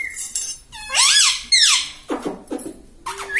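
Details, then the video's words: A pet parrot, said to talk "mummy" and "papa", utters two strong, hoarse, arching word-like syllables back to back, then low gravelly mutters and a short rising note. "talking mummy || papa bolta Mithu"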